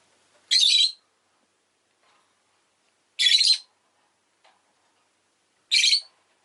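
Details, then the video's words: Three loud, raspy, buzzy chirps from a pet rosy-faced lovebird, evenly spaced about two and a half seconds apart, each lasting under half a second, with near silence between. "Lovebird Chirping Sounds"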